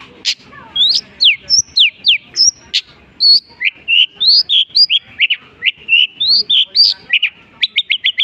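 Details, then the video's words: Long-tailed shrike in full song, imitating other birds: a dense, fast run of sharp rising and falling whistles, clipped chirps and short buzzy notes, several each second, ending in a quick series of repeated ticks. "unik nya burung cendet bisa menirukan jenis burung apapun"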